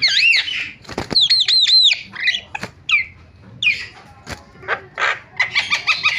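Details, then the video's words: Starling calls played to lure other starlings into calling: looping whistled notes in a quick series of four, harsh scratchy bursts, isolated slurred whistles separated by short silences, and a fast chatter at the end. "MASTERAN JALAK SUARANYA BIKIN JALAK PADA TERIAK"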